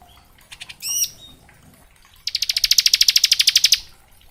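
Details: Bar-winged prinia training song in ngebren style for young prinias: a few soft chips and a ringing note, then a rapid buzzy high trill lasting about one and a half seconds over light background noise.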